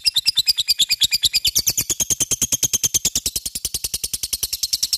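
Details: Lovebird singing ngekek style, a long unbroken chatter of rapid, evenly spaced harsh high notes that runs through the whole clip, with some notes sliding in pitch near the start.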